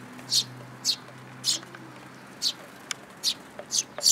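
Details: Sparrows gathering to be fed at a Tenmangu shrine, 8 July 2022; loud, separate chip notes come about every half second, with a faint hum in the background.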